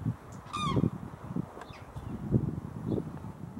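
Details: Cranes on spring migration resting at Falköping, Sweden, where thousands arrive and pairs dance to strengthen bonds; a short, harsh trumpeting note dropping in pitch, set against low rumbling wind or handling noise and faint distant calls.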